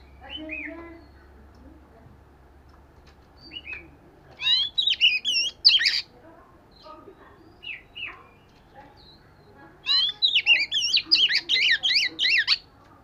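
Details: Oriental magpie-robin in daily singing practice: loud bursts of rich, warbling whistles with quick up-and-down sweeps, broken by short spaced chirps, ending in a long rapid series of looping notes.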